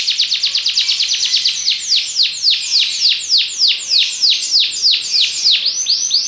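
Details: Belgian canary singing a steady series of downward-sweeping whistled notes, starting quickly and then spacing out to about two per second, ending with short looping notes.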